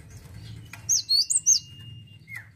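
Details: Cinereous tit singing energetically: a brief burst of three or four high, sharp hooked notes over a steady low background hum, followed by a faint thin whistle.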